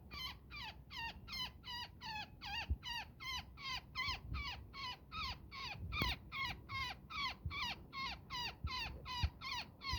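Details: Woodpecker stuck in a net, angry and calling for companions while being rescued: about twenty-six rapid, grating squawks in ten seconds, each dropping at the end, with a few handling clicks.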